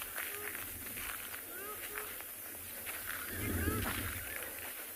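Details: A male and female shelduck on a South African game reserve, afternoon of 19 September 2020, give short, nasal honking alarm notes at the guide, repeated about every half second, over low wind rumble and a man talking.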